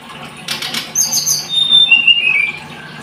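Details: Blood-breasted flowerpecker: a wing flutter followed by high, thin chips and a long whistled phrase that steps down in pitch.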